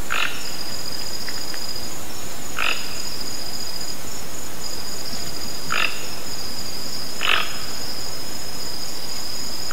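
A toco toucan gives four short, rough croaks at uneven intervals of two to three seconds, over a steady high insect whine.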